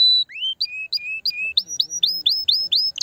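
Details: Canary singing to stimulate the female: a long whistled note, then a slow series of falling slurred notes about three per second, shifting to higher downward-sweeping notes repeated evenly.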